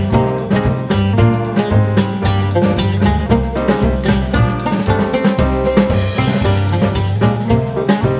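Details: Instrumental music with steady drums and plucked guitar fills the recording, with no animal voice heard.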